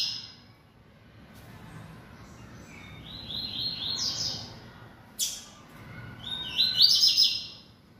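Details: A bold kept yellow-bellied seedeater singing: a short buzzy, rising phrase of quick high notes, a sharp click, then a brighter trilled burst of slurred high notes, over a soft low background hum.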